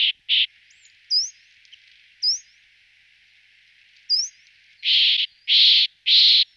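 Corsican nuthatch giving harsh, rasping, nasal calls, two quick ones and then a slower run of three, with thin upslurred whistles in between.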